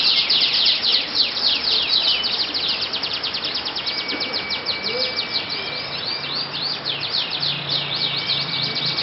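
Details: Canary, yellow-plumaged, singing at a Yogyakarta contest: a long high trill that speeds into a fast rattle of repeated notes alongside a steady whistled tone, with a low hum and distant voices.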